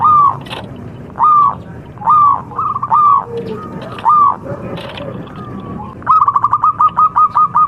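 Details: Local contest zebra dove, a lure recording to set other birds singing: several arched coos at a steady pace, ending in a quick rattling series of short notes.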